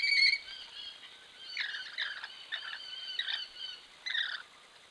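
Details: Wild Rainbow lorikeets (Trichoglossus moluccanus) bathing and splashing, caught by a camera trap: short raspy, screechy bursts at scattered intervals, sharper clusters around the middle and near the end, over a faint steady hiss.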